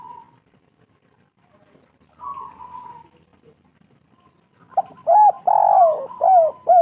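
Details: Spotted dove lure song, local type, to make doves respond: quiet sustained tones early, then a burst of hollow mellow coos with one long descending note, loud and close.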